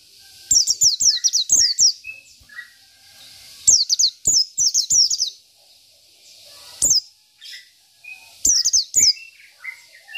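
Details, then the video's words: Energetic 'isian' singing from a local Oriental white-eye, said to anger opponents: four clusters of rapid, piercing falling notes over ten seconds, spaced by short quiet gaps and scattered lower whistles. "PLECI BIKIN EMOSI LAWAN || Pleci Lokal || Pleci Isian"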